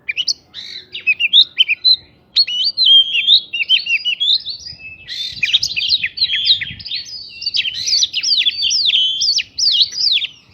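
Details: Oriental magpie-robin singing a lure song laced with prinia imitations, meant to agitate other birds into answering: rapid bursts of sharp whistled slurs and chirps, broken by short pauses, with faint low rumbling underneath.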